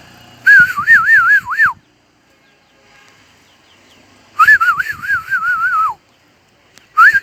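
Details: Crested bird in the H'Mong highlands of Ha Giang giving rich warbled whistles, each phrase undulating rapidly then dropping at the end, two long phrases and the start of a third, separated by quiet pauses.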